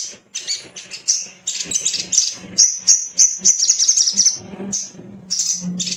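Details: A male little spiderhunter sings energetically, used to prompt other birds to sing: fast, high, twittering chirps run into a sustained shrill trill, over a steady low hum.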